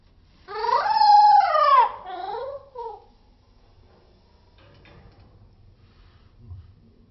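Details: Cockatiel in slow motion giving one loud, long, gently rising call, followed by two shorter, lower wavering notes, then faint clicks and room noise.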